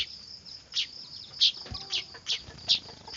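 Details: Noisy weaver (manyar) chicks, a recording used as a bird lure: sharp, high chirps in a loose series, about seven in three seconds, over a faint hiss.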